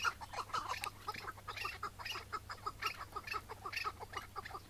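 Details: Chukar partridge, a wild bird that came in one May 2017 morning and was caught, then released on the spot. It gives rapid repeated clucking chuk notes, about two per second, with some uneven overlapping notes and faint background hiss.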